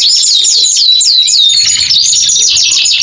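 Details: Canary in long 'gacor' song, played to prompt post-molt canaries back into singing. Varied high warbled and looping notes blend into a rapid, buzzy continuous trill.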